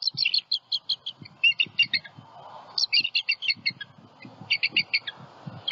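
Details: Bald eagles on high alert at their Southwest Florida nest after an owl attack, the female staying with the eaglets. Rapid, high staccato chittering comes in quick bursts of several notes, with soft low rustling beneath.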